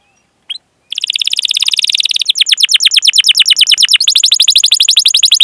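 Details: Canary singing a long continuous roll meant to trigger other canaries to sing: one brief chirp, then an unbroken rapid trill of short notes that changes pace and pitch twice without pause.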